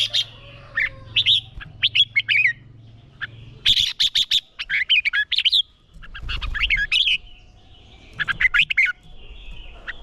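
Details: Red-whiskered bulbul practising competitive song to spur other birds: lively phrases of chirps and warbled whistles in four or five bursts, separated by brief quiet gaps, with low background rumble.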